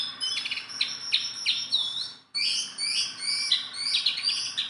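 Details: A constantly singing, hand-tame Sunda bulbul in captivity pours out dense, rapid high chattering and buzzy whistled notes, broken by one short pause in the middle.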